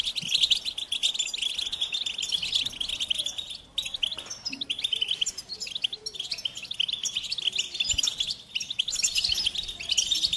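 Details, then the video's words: Goldfinch singing a sustained medley of quick twittering, chirping and trilled notes for about ten seconds, dipping briefly twice before resuming. "Golden Melodies in Motivation Experience the Goldfinch Singing"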